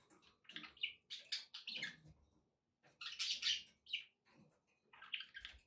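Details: Captive budgerigars chattering: dense bursts of scratchy warbles, chirps and clicks run together, pausing briefly before resuming, with faint low background noise.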